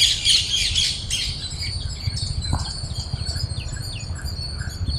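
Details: Parrots gathered on grain at Cubbon Park, Bangalore: an opening second of loud, harsh squawking from several birds fades into softer, scattered chirps over low background rumble.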